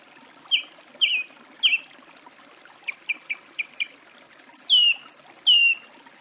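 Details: Song thrush song: a sharp whistled note given three times, then four short quick notes, then a high, descending twittering phrase repeated twice, over faint background hiss.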